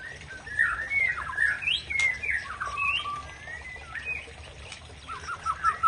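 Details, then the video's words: Aceh-type white-rumped shama singing to stir up a rival bird: fluid whistled phrases with rising and falling slides and short chipping notes, ending in a quick series of repeated bright whistles, over faint low background noise. "Murai Aceh Pancing Emosi Lawan"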